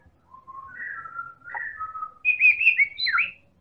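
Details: White-rumped shama of the Medan type, played as a singing lure for other birds: a sequence of clear whistles rising step by step, ending in louder, higher warbled notes.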